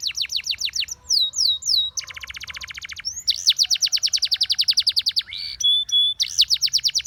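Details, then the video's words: Spanish Timbrado canary delivering a powerful song for training other canaries: quick trills, a rattling buzzy burst, a long fast run of repeated notes and steady pure whistles. "The Most Powerfull Spanish Timbrado Canary Singing"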